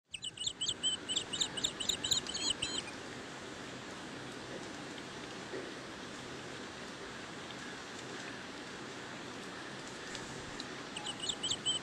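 Asian green bee-eater giving quick bursts of high, trilled chirps for about three seconds, then returning near the end, over a steady hiss of background noise.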